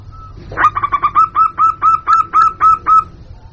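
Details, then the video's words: Local zebra dove lure call for attracting wild birds: one soft note, then a rapid rattle easing into about ten evenly spaced, clear upslurred coos. "Suara Pikat Burung Jitu Perkutut Jamin Nyaut Kutut Lokal"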